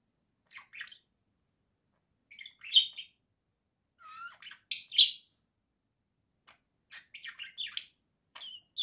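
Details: Singing pet budgerigars from a home flock, October 2024: bursts of chattering, warbled chirps and squeaky notes with short pauses, lively and irregular, in a quiet room.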